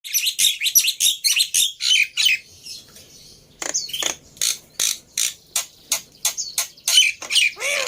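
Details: Black-winged myna lure song, played to coax a silent bird into singing: harsh, raspy broadband bursts in rapid runs of about three per second, a brief pause midway, then spaced squawky notes and a final wavering rising note.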